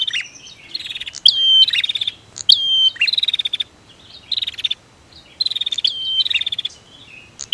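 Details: Male and female prinias in duelling song meant to rouse birds that have gone quiet: bright high trills and ringing whistled notes come in four clustered bursts with brief gaps.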